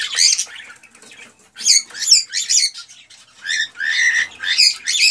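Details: Excited male cockatiel song, sung to stimulate a female to mate and breed: harsh, chattering bursts with strong upper harmonics, broken by short pauses.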